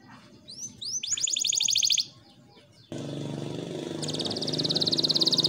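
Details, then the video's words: Vigorously singing canary, used as tutor song for young canaries and to prompt quiet ones: high whistled upslurs and a fast buzzy trill, then an abrupt cut to a noisier background where another rapid trill builds, with low rumbling noise. "KENARI GACOR ‼️ COCOK UNTUK MASTERAN KENARI PAUD DAN PANCINGAN KENARI MALAS BUNYI"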